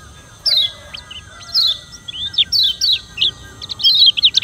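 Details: A Lombok yellow white-eye (kecial kuning) gives fast, high twittering bursts of sweet chirps and quick slurred notes in short phrases, over a faint steady electronic hum.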